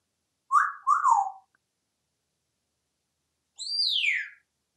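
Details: Pet African grey parrot hatched in 1997, kept in a house in Texas, gives two quick downward-sliding whistles, then after a pause one longer high note swooping steeply down.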